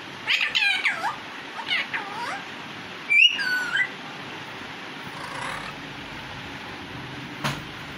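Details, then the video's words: Indian baby parrot at a door, screaming while trying to speak: several loud, harsh, sweeping squawks rising and falling, a sharp shriek near the middle, then quieter hoarse sounds over steady background noise. "Indian baby parrot screaming & saying titu on the door"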